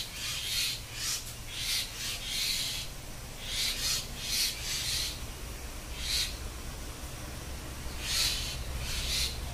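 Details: Three common myna chicks give harsh, raspy hissing bursts, about one each second in uneven runs, over a steady low hum.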